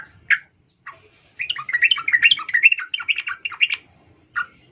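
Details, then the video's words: Female sooty-headed bulbul calling to a male; two lone chirps, then a lively two-second cascade of bubbling, slurred notes and one final chirp. "trucuk Betina memanggil jantan"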